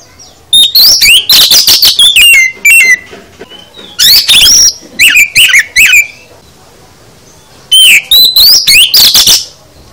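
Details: Full isian song of the oriental magpie-robin (kacer): three bursts of fast, varied whistles, chips and buzzy notes, separated by brief pauses.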